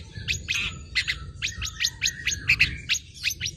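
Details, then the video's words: Long-tailed shrike song used to prompt other birds: busy mix of short chirps and whistled notes over a light background hum. "BURUNG CENDET JINAK GACOR JUARA SUARA FULL ISIAN NEMBAK"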